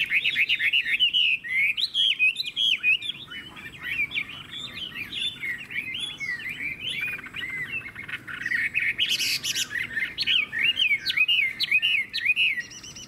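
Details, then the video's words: Chinese hwamei, a cage bird from Vietnam with a strong, fine voice, pouring out a fast continuous run of clear whistled notes, each sharply bent up or down, with brief harsher bursts mixed into the flow. "Họa mi hót hét tốt - Giọng hay"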